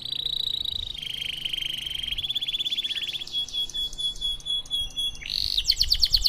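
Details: Canary 'cengkok mewah' song for training silent canaries: sustained whistled tones at shifting pitches run into one another, followed by fine rattling trills and a brisk, bright burst of notes at the end.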